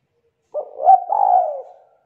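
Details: Spotted dove, a young bird from the wild of the 'kuk 2' song type with a thick, loud voice, giving one clear, mellow coo that swells, briefly breaks, then slides down and fades.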